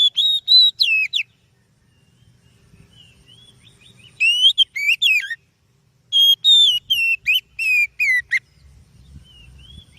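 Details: Song of an oriental magpie-robin, known locally as kacer, played as a lure for other birds: three bursts of fast, sharp whistled notes, each burst rising and falling, separated by quiet gaps with faint low background hum.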